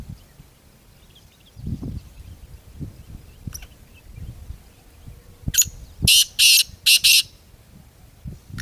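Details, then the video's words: Wild black francolin in jungle giving one harsh, rasping phrase: a short grating note, a pause, then two loud bursts and two more in quick succession, preceded by low rumbling background noise. "Jungle kale Teetar full Masti Awaz Suni or Dakhe kala teetar"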